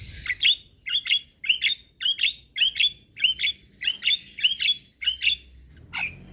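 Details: Javan myna singing to provoke other mynas, repeating a short harsh squawk with a whistled upslur about every half second, around ten times.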